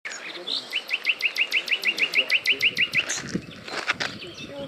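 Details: Common nightingale singing at Paxton Pits, Cambridgeshire, England, on 1 May 2011: a fast, even series of about fourteen identical clipped notes, then loud, sharp, piping notes. Light background noise.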